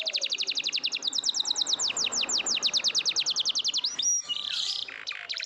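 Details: Canary song meant to draw quiet canaries into singing: a fast, even run of high downslurred notes, about three per second, followed by a brief buzzy burst and softer chips; light background hiss.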